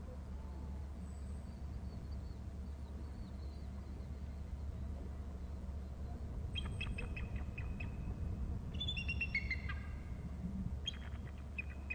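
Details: An eagle at its Hornby Island nest territory flies from right to upper right of the babysitting tree and calls on landing: bursts of high, thin chittering notes tumbling downward, over a low rumble of wind or traffic.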